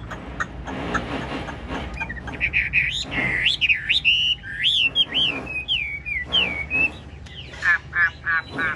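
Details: Caged Chinese hwamei, a large-bodied bird in the ngũ trường song style, nodding and dancing as it sings: loud, clear whistled phrases that swoop up and down, delivered in quick bursts over low background hum.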